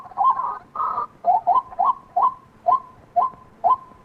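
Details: White-breasted waterhen calling: a few broad, harsh, drawn-out notes open the series, followed by a steady run of short upslurred notes repeated about twice per second, clear against a quiet background.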